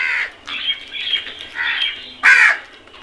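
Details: A flock of crows calling while eating: harsh, hoarse caws in a loose series, a short one, two drawn-out ones, then a loud rough caw near the end, with other crows faintly behind.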